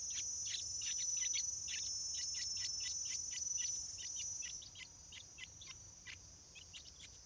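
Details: Fledgling Stripe-throated Bulbuls before first flight utter rapid, dense chirping, many short notes per second, loud at first and then thinning out, over a continuous shrill insect hum.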